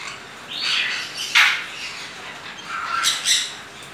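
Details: A greater sulphur-crested cockatoo eating a plum nut gives three or four harsh, raspy squawks over a few seconds. The calls are grating and broad, with quiet room sound between them.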